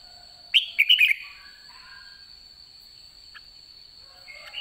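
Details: White-cheeked red-whiskered bulbul late in the season, 'ché' singing style: one brief burst of clear whistled notes near the start, then near quiet apart from a steady high tone and a faint note at the end.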